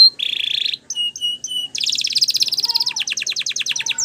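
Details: Canary singing a training song in Spanish Timbrado style, opening with a steady buzzy roll, then a few short whistled notes, then fast trills of repeated notes that speed up.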